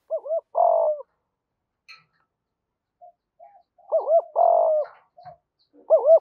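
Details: Spotted dove cooing, male and female, used for stimulating training birds; paired bouncy notes with a drawn, gently falling coo, repeated three times with faint soft notes between phrases.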